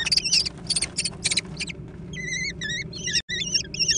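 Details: Young American kestrels squabbling over food, uttering rapid high-pitched wavering squeals in quick bursts, several young calling at once with overlapping harsh chatter.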